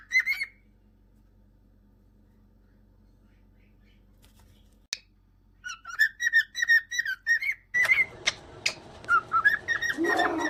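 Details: A pet cockatiel starts whistling after a long quiet stretch with a single click, producing a quick series of bright whistled notes that become partly masked by loud rustling and background noise toward the end.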